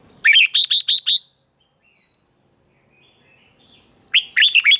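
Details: A male red-whiskered bulbul, stimulated to sing, gives two loud, bright phrases of five quick chirpy whistled notes, with a short pause between them and no other sounds.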